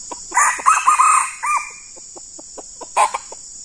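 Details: Red junglefowl decoy bird meeting a very fierce wild male: a loud, hoarse, broken crow of several harmonic segments, followed by a short note and then a run of sharp clucks, over a steady high insect drone.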